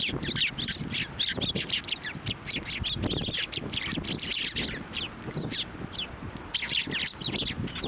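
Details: Many sparrows gathering on a hand and around it to be fed at Tenmangu shrine, March 18, 2024. Rapid, jumbled high chirps pour out without pause, with some low thumps and rustling beneath.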